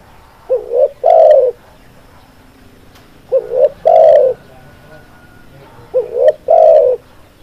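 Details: Spotted dove call used as a lure for trapping birds: three low cooing phrases, each a short rising coo followed at once by a longer, louder, slightly falling coo, repeated about every two and a half seconds.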